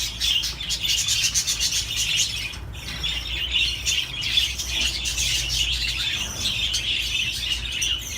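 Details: Budgerigars singing in a dense, continuous chatter of high chirps, warbles and short squawks with no pauses, over a steady low hum.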